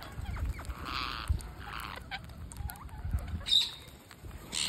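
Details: Parakeet being fed on day 231 of a series, producing repeated harsh buzzy rasps in quick succession, each under half a second, with a final rasp near the end and low thumps between.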